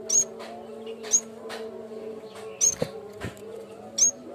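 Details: Yellow-bellied warbler, cikrak bambu, singing as a training lure: four loud, very high whistled chirps spaced about a second apart, with faint ticks between and low humming tones.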